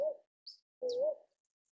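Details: Northern boobook (Ninox japonica) hoot: the tail of one low note, then a full, smooth, slightly rising hoot, with faint high ticks in between.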